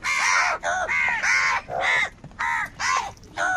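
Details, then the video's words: Crows fighting for food, voicing anger and unity: a rapid, insistent series of seven harsh caws, roughly two per second, loud and close with brief gaps between. "Crow bird live crowing sounds - All types of crow sounds | Crow bird unity anger and sounds"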